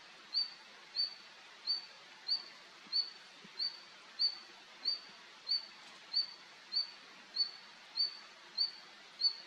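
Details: A male Red-flanked bluetail (Tarsiger cyanurus) calls, repeating a thin, high whistled note about every 0.6 seconds, steady and evenly spaced, over a faint background hiss.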